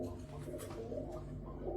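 Low, soft pigeon cooing, a muffled rolling murmur that carries on steadily through the short clip, heard close as if indoors.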